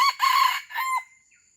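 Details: Aceh red junglefowl pemikat, a decoy bird for luring wild fowl, ends a crow with a strained drawn-out phrase and a lower final note, then falls silent apart from a faint high hum.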